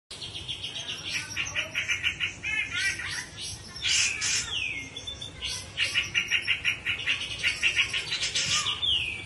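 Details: Grey-cheeked bulbul in ngepik siul singing style: busy run of rapid chattering trills and buzzy repeated notes, with sharp downslurred whistles around the middle and end, over a faint low background hum.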